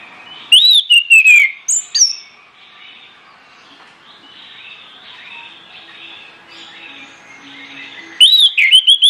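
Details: Orange-headed thrush (Geokichla citrina) song used as a lure to trigger other birds to sing: loud, varied whistled phrases in a quick run, pausing several seconds, then resuming; quiet hiss between bursts.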